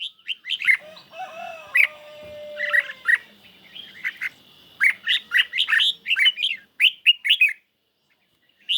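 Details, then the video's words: Caged red-whiskered bulbul in a singing duel against a phone recording on a lightly sunny day; loud chirpy notes and squawky phrases in rapid series, with a low drawn-out tone early on. "Chim Chào Mào Của A Tủa Hót Đấu Với Điện Thoại Cực Xung"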